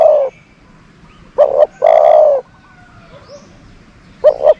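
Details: Cooing from a dove used as a decoy bird for luring doves: a long level coo, a pause, then a quick double note running straight into another drawn-out coo, with a faint distant bird call behind.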